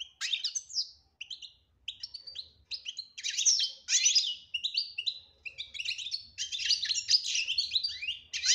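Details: Goldfinch song in the betbta style with tasfia: rapid twittering phrases and buzzy trills that build into a dense, nearly continuous stream toward the end, over a faint low rumble.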